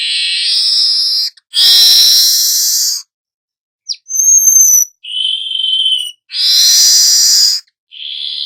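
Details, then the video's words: Young weaver singing continuously, used to train and lure other birds. Long raspy hisses alternate with a high thin whistle and shorter buzzy notes, repeated in a loose cycle. "Burung manyar muda AKTIF NGEROL pancingan segala jenis burung"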